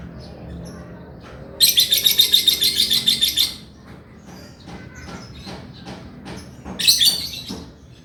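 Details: Energetic male lovebird giving a rapid, rattling trill of about a dozen harsh pulses in two seconds, then quiet, then a shorter squawky burst near the end.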